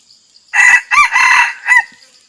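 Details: Wild male red junglefowl giving a challenge crow toward a rival: a single raucous four-syllable crow, the middle part drawn out and the last note short and abrupt, over a faint steady high-pitched hum.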